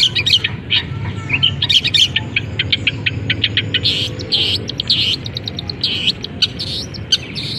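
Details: Caged long-tailed shrike singing with its cage cover just opened, song filled with canary, fighting-sparrow and kapas tembak mimicry: dense run of sharp high chirps and trills, with a bright rattling burst mid-clip. Low background rumble throughout.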